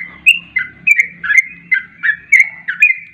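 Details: Fast 'garuda ropel' song of the sooty-headed bulbul, used as a lure for bulbuls. Squawky chirped notes come in quick succession, some slurred downward, over a soft low rumble.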